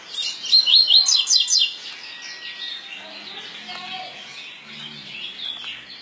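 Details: ['Double-collared seedeater, a coleiro pardo, singing its tui tui song type: a quick burst of high, bright whistled notes repeated in a rapid rolling series for just over a second, then a soft background hiss.']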